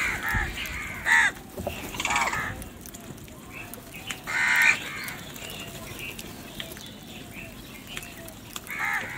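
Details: Crow calling in the morning while eating, harsh caws in short bursts near the start and middle and again at the end, with background voices and general outdoor noise.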